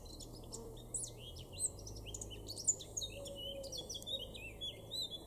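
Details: Garden recording from Weener, East Frisia, far northwest Germany, May 2022: a male blackcap pours out a dense, varied warble of sharp chirps and loud fluted whistles. A low rumble runs beneath throughout.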